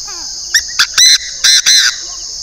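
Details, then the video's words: Decoy Chinese francolin from the north of Vietnam calling: short emphatic notes followed by longer, strained, ringing syllables in a rapid phrase, over a constant shrill background hiss. "Đa Đa mồi miền bắc"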